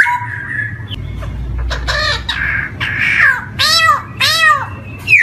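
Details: Mixed harsh and whistled notes from a black-throated laughingthrush, used as a lure for young birds first singing: scratchy chatter, a few level whistles, then two loud arching squawk-like notes, over noticeable low background noise.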